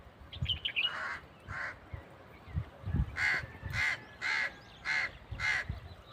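A crow gives harsh, hoarse caws, two early then a run of five about every half second, after a few brief high chirps and low thumping background noise.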